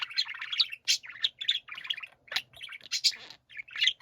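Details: Several pet budgerigars singing together in chorus: continuous high warbling chatter with rapid burbling trills, squeaky chirps and scratchy grating notes overlapping throughout.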